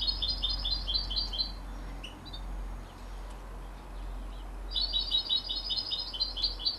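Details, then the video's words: Canary x European goldfinch youngster, 33 days old, delivering two spells of fast, bright twittering, the first at the start and the second after a pause of about three seconds, with soft hum behind. "canari x chardonneret a 33 jours"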